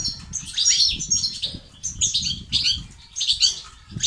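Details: European goldfinch male-type song in the betbata and stestat styles, used to stimulate male goldfinches to sing, become active and overcome silence; bright, rapid twittering bursts of high, buzzy notes, each about a second long, separated by brief pauses, with a soft low rumble underneath.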